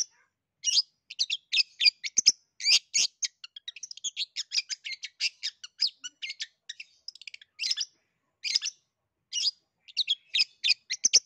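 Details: Prolonged gacor singing of a long-tailed shrike, used to encourage a shrike that will not sing; dense scratchy chatter followed by spaced high chirp bursts, clean background.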